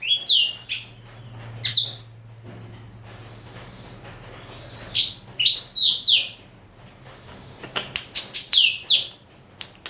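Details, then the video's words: Caged male black-throated canary aged four, Somerini x Botswana cross, delivering three separate bursts of quick, high, downslurred whistles with quiet gaps between them; a faint low hum in the background. "Kicau Merdu BLACKTRHOAT"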